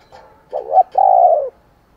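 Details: Spotted dove cooing, played to provoke fighting and calling in the morning: a short two-part coo followed by a longer, steady, slightly falling note, all low and mellow.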